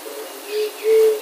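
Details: A West Peruvian dove (Zenaida meloda) gives two low, hollow cooing notes, the second longer and steadier, over a faint background hiss.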